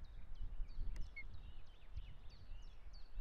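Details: Osprey calling at its Estonian nest, 2018: a steady run of high, clipped chirps about four per second, fairly faint, over a deep rumbling background.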